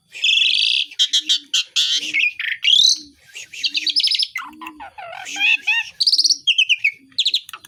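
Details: Asian pied starling singing besetan with copied calls from other birds: harsh buzzy bursts, rapid chirps and upward-sweeping whistles, accompanied by a regular low coo in the background.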